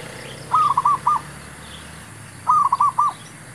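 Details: Calling zebra dove used in trapping to attract wild birds: two brisk phrases of several short, level, bouncing coo notes about two seconds apart, with faint higher chirps and steady noise behind.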